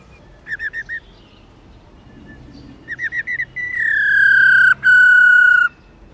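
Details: Female black-throated laughingthrush uttering its 'ro ro' call for stimulating males: two short bursts of four or five rapid notes, then a long, strong whistle sliding gently downward, briefly broken before continuing.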